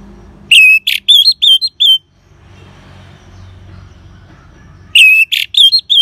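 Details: Ngeban song of an orange-headed thrush, a lure to get caged birds singing: two identical phrases of whistle, rasp and warbled notes, separated by about three seconds of low hum.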